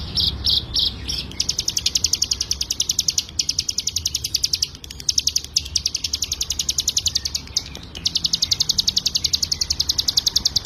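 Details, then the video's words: Ciblek gunung (hill prinia) in full 'ngebren' song for tutoring cage songbirds: a few separate high notes open into a long, steady, rapid trill of sharp buzzy elements, three to four each second, with tiny breaks. "CIGUN GACOR FULL NGEBREN"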